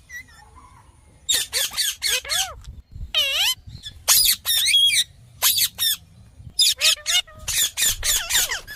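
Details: Green parrot squawking in rapid harsh bursts, with a rippling nasal cry and a clear whistle among the screeches, calls coming several per second.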